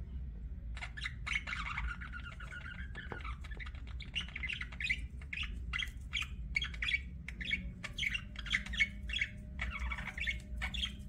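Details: Budgerigar flock chirping in an aviary: dense overlapping chattering warbles and short squawky notes around mid-high pitch, continuous throughout with a steady low background hum.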